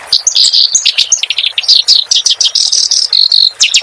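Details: A clamorous reed warbler's song, meant as a model for cage birds to copy. Grating, dense chatter of rasping trills and high squeaks, with one drawn-out buzzy note and short stuttering bursts.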